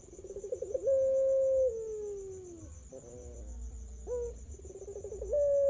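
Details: A champion puter pelung turtle dove, used as a lure to get other doves singing, coos in long, drawn-out notes: a wavering start, then level tones sliding slowly lower, with a faint steady high whine throughout.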